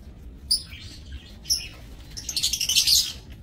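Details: Caged lovebirds in a breeding aviary on 30 May 2024 give two sharp squeaky notes a second apart, then a loud burst of rasping, shrill chatter.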